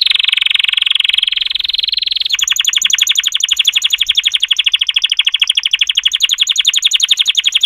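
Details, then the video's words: Canary song opening with a dense buzzy roll held for two seconds, then breaking into a rapid, regular trill of sharp clicking notes that continues steadily and evenly for over five seconds. "chant singing canaries 12 تغريد الكناري"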